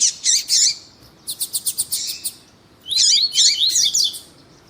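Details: Double-collared seedeater singing in the tuí-tuí style while a female calls to excite the male, a bird bred for song tournaments; looping slurred whistles, a rapid train of six sharp notes, then a long swirling warbled phrase.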